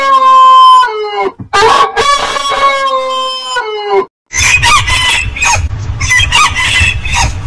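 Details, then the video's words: Crowing rooster giving a loud, sustained harmonic call with stepped pitch changes over four seconds, followed by busier, noisier clucking and crowing from other birds over a low rumble. "Rooster Crowing"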